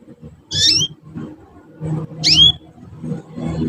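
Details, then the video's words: Young canary learning to sing: two loud, high, swooping chirps about one and a half seconds apart, each dropping sharply in pitch, over a low murmur of background noise. "kanari belajar bunyi"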